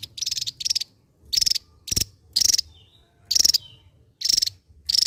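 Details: Javan white-eye, the mungil of Java, in loud continuous song: sharp trilled high bursts of about a third of a second, separated by brief gaps, with faint low rumble behind.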